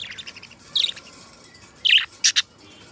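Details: Budgerigars, two pet companion budgies singing and talking: a few short high chirps separated by pauses, ending in two quick sharp squeaks.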